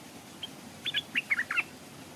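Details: Decoy Stripe-throated Bulbul caged beside a stream while wild birds hover but do not come down; one brief burst of five quick bubbly chirps, rising and falling, against a soft background hiss.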